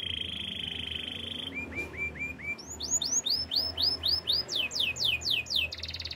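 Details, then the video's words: Singing canary used for song training, holding a long steady whistled tone, then a series of short rising chirps, followed by loud swooping notes repeated about twice a second, finishing in a dense trill. "Beautiful voice of canary birds"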